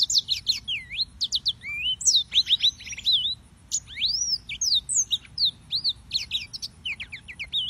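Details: Yellow-fronted canary in sustained song: rapid sequence of clear whistled notes, many rising or arching slurs and quick repeated chips, nearly continuous, with a low background rumble.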